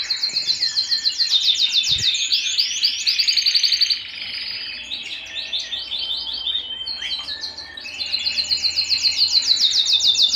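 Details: Canary song recorded at home: fast, steady trills of high repeated notes, a short pause into quieter scratchy phrases, then another bright rolling trill at the end; one soft thump near the start.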